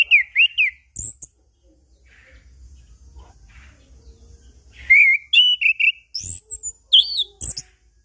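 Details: Chestnut-capped thrush song used as a lure to get silent birds singing, for morning, noon and evening; clear whistled phrases with wavering, sliding notes, bursts separated by a quiet gap, then a livelier run of high twittering phrases.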